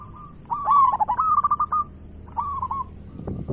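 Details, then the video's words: Loud, persistently singing local zebra dove gives a rolling, stuttered coo phrase that climbs then pulses in quick beats, followed by a shorter softer phrase. A constant high whine enters midway and a brief rustle sounds at the end. "PERKUTUT LOKAL GACOR suara besar"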